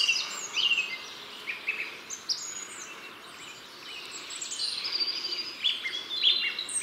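A European robin sings a high, sweet warble of thin whistles, quick trills and sliding notes that changes phrase to phrase, over a soft hiss of background noise.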